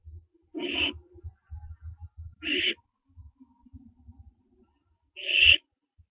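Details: Barn owlets at the nest around branching time, 15 September 2011 at 4:07 AM: harsh hissing screeches roughly half a second long, three spaced about two seconds apart, with soft low thumps and shuffling between them.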